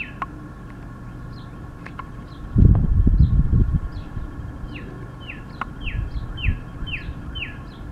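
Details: Male Northern cardinal in bright red plumage singing at the top of his lungs, a sign of spring: a steady series of clear, falling slurred whistles speeding up toward the end, with a loud low rumble and scattered clicks in the middle.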